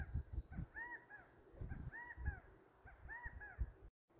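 California quail giving three loud, arched 'chi-ca-go' phrases, repeated about every second, over a steady low rumble of wind or background noise.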